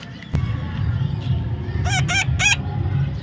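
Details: Three short, hoarse, bending calls from a baby parrot, fired off quickly. A sharp click comes first, then a loud low rumbling background.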